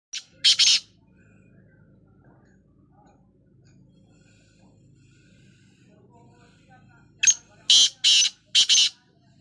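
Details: Black francolin calling while dust bathing: a short sharp note then a loud harsh burst near the start, then after a quiet stretch a rapid series of four loud grating notes.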